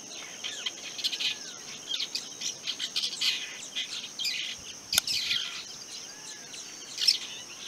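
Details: Long-tailed shrike, also called rufous-backed shrike, giving a busy series of short chirps and scratchy high notes, some brief downslurred whistles, repeated irregularly over a steady high insect drone.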